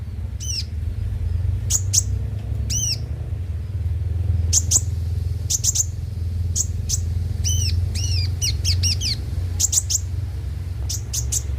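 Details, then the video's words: Konin (kolibri ninja) song played as a lure to make caged birds sing daily: sharp, very high chirps and downward-swept, looping whistled notes in scattered bursts over a steady low hum. "pancingan suara burung KONIN agar rajin bunyi tiap hari"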